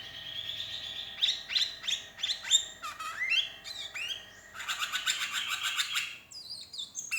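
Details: Sooty-headed bulbul, a lonely bird calling for companions, used as a lure, gives a series of sweeping, slurred whistled notes followed by a dense, scratchy chattering burst.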